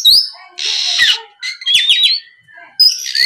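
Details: Oriental magpie-robin lure song to coax untrained birds to respond: a high whistle, a long grating buzz, a scratchy twittering passage with a thin rising whistle, then more high notes.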